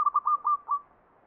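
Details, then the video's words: Zebra dove song in the Mataram Jogja style, called ngepat pakem: a short run of five pure, mellow cooing notes at one steady pitch, quickening slightly before a longer final note that fades, then silence. "SUARA PERKUTUT NGEPAT PAKEM MATARAM JOGJA"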